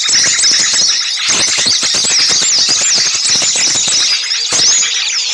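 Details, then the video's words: Lure for catching small birds: an excited chorus of high squealing chirps and wavering whistles runs without pause, with clusters of sharp clicks and a brief lower whistle near the end. "suara pikat burung kecil ribut"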